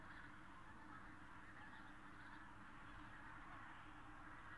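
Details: Large gathering of Common cranes in the countryside around Berlin, Germany, 24 October 2015, calling together in a continuous mass of rolling, honking notes above a low background hum.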